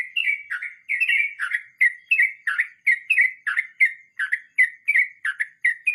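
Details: Rolling 'ngeroll mbonang' song of a sooty-headed bulbul, known locally as trucukan: continuous clear chirped syllables, roughly three per second, each with a slight downward slur, keeping an even, lively beat throughout.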